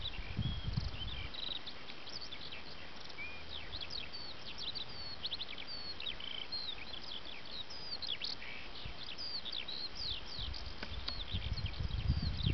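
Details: A Eurasian skylark sings in its habitat, pouring out a continuous, high, rapid stream of chirps, trills and slurred whistles, over a low rumble of wind.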